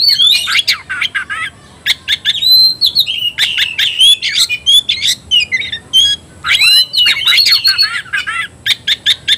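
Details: Oriental magpie-robin (kacer), provoked to fight, singing constantly: a steady series of short whistled and scratchy phrases punctuated by sharp clicks, keeping a fast, regular pace throughout.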